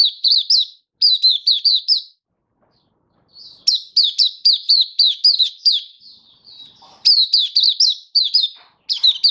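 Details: Hobby-kept oriental white-eye in song display, recorded 24 February 2023: several fast runs of bright, high, down-slurred chirps, each lasting one to two seconds, with brief silent gaps between bursts.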